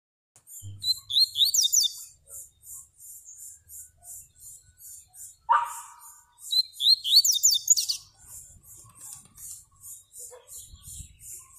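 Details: Yellow-bellied seedeater (baiano), a kept bird with a song described as special, 'luxo' style: long series of short high repeated notes, broken by two bursts of sweeping twittered phrases; a person speaks briefly afterwards.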